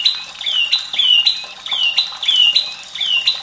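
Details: White-rumped shama song for training young and reluctant birds to sing, with trickling water to stimulate singing: a repeated whistled phrase, a sharp high note sliding down into a clear whistle, about every half second over faint background noise.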